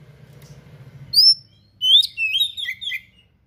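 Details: Oriental magpie-robin (kacer) in vigorous 'gacor' song, full of rare imitated material ('isian'), used as a tutor recording: a thin high rising whistle, a short pause, then a rapid run of bright whistled and twittering notes. A faint low hum lies underneath at first.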